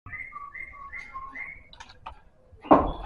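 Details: White-rumped shama of the Medan type, a champion-class bird, singing a lure song meant to draw other birds into song: a row of clear whistled notes alternating high and lower, then rasping notes and a loud thump.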